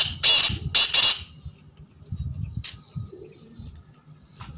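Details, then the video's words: Black francolin producing two loud, scratchy, buzzy notes close together, followed by faint low rumble and a few soft distant sounds. "kala teetar ki chhk and awaz"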